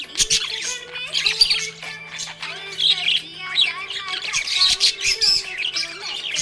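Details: Happy budgerigar chirping: dense, scratchy warbling chatter with quick high chirps and squawky bursts throughout, over a steady low hum and faint sustained tones.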